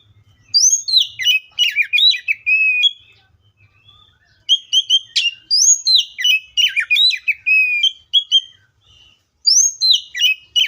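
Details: Song of the Oriental magpie-robin: three lively bouts of varied whistled and chirping notes, each several seconds long, divided by short quiet gaps.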